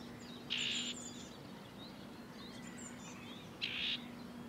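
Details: Common whitethroat of the nominate subspecies, recorded in June 2023 at Het Vinne, Zoutleeuw, Belgium: two short, harsh, scratchy bursts about three seconds apart, with faint thin notes of other birds and a low steady hum behind.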